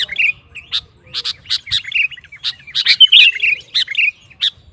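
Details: Sooty-headed bulbul in vigorous song aimed at provoking rival bulbuls: sharp staccato chirps interspersed with short liquid whistled warbles, loosely spaced and irregular.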